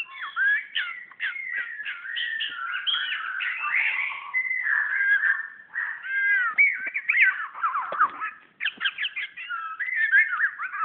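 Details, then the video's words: Magpie-robin singing at its own reflection in a mirror, Brunei, 2013: a continuous, rich stream of varied whistled notes and slurred warbles, rising and falling quickly, with few breaks over eleven seconds. "Burung murai vs cermin"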